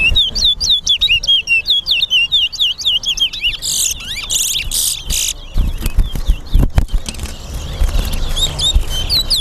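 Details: Towa towa competing in a singing race at a Guyana bird ground, Lamaha and Vlissengen Road: quick, sweet whistled phrases of looping high notes for about four seconds, then bursts of noise and scattered further whistles, with people and music in the background.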